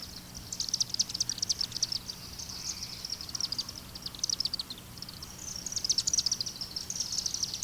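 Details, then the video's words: Chimney swift giving its non-musical call: rapid, dry, high chippering twitters in bursts at a nearly constant pitch, with a faint low hum underneath. "Note how the chimney swift's non-musical call varies little in pitch."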